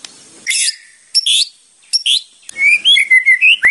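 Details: Murai batu, the white-rumped shama, song for training: short harsh buzzy bursts separated by pauses, then a run of bright, warbled whistles rising and falling.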